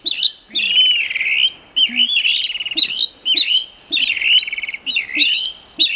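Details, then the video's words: Plumbeous rail (Pardirallus sanguinolentus) calling at full volume, a run of loud, harsh, squealing, high-pitched phrases, about one per second, with brief pauses between them. "Pidén / Plumbeous Rail (Pardirallus sanguinolentus)"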